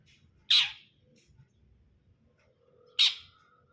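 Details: Two isolated harsh, explosive rasping notes from a long-tailed shrike (cendet brundol), spaced about two and a half seconds apart, with near silence and a faint low hum between them.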